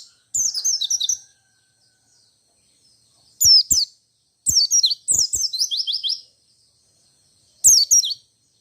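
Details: Rolling 'ngerol' white-eye song in the forest 'ngalas' style, claimed to draw other white-eyes into singing; short volleys of shrill descending chirps come in irregular spurts, with faint knocks at the start of phrases.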